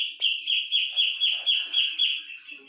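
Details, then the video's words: Loud singing of a Javan brown-cheeked bulbul: about ten strong, slightly buzzy chirps in steady quick succession, each a rising-falling stroke on the same high pitch. "Cucak jengot gacor volume tembus"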